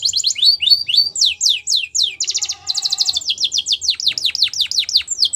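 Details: Wild canary singing high downslurred whistles, then a dense rattling trill with a lower undertone near the middle, then more quick sweeping notes repeated several times a second.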